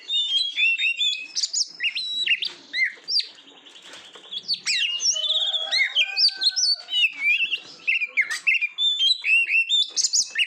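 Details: Kacer, the Oriental magpie-robin, singing on a recording used in Indonesia to train competition birds: fast, varied chatter of sharp whistles, trills and buzzy notes, roughly two per second, with a short quieter buzzy stretch midway.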